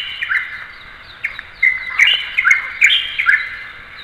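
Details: Light-vented bulbul, a bird of lowland towns, parks and orchards in East Asia, giving a string of short, bright chirps and slurred notes about every half second over constant background hiss.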